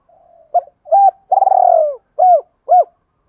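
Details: Spotted dove of the "giọng đồng pha" voice type cooing to call females: a faint low hum, then short arched coos, one long pulsed drawn-out coo, and two more arched coos, all low and mellow, clean and loud.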